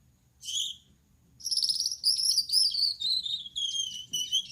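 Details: Night singing by a male Gouldian finch (yellow back, red head, white chest): one brief squeaky note, a pause, then a run of high, thin, buzzy warbled phrases.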